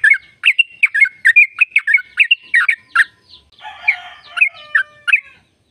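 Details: Energetic sooty-headed bulbul trill in the long "ropel" style, played to make other bulbuls sing: a fast run of crisp chirping notes, close to three per second, then a brief rasping, buzzy phrase and a few last chirps.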